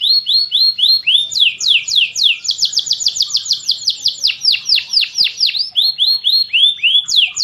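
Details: Champion canary master song: rising whistled phrases, then a fast series of falling chirps, followed by slower swooping notes, loud and clear with a quiet background.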